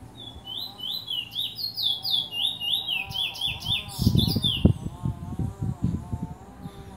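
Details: Lesser seed finch, Trinidad: a lively string of swooping whistled notes for about four seconds. Low thumping and rustling noise follows as the song breaks off.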